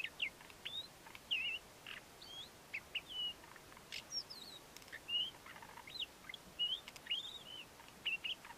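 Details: A male Ant-eating Chat sings his courtship song: a scratchy, jumbled string of high chirps, short whistles and squeaky notes, delivered in quick bursts about every half second.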